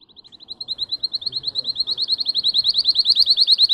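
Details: Singer canary giving a steady, very fast trill of high, tinkling notes that gradually grows louder over nearly four seconds.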